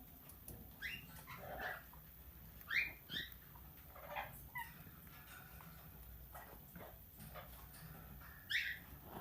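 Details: Tame plum-headed parakeet, a talking pet parrot, giving short sharp chirps and squeaky rising notes in scattered bursts, spaced irregularly over several seconds against a quiet indoor background.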